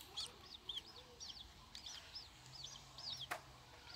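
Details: Long-tailed shrike nestlings six days old, begging as they are fed by hand, give thin, high, arched squeaky notes repeated about twice a second, with a faint low hum and a sharp click midway.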